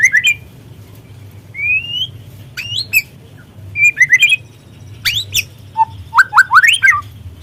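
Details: Murai trotol, a white-rumped shama, sings a lure song to provoke singing: clear rising whistles separated by pauses, then a burst of rapid ascending notes near the end.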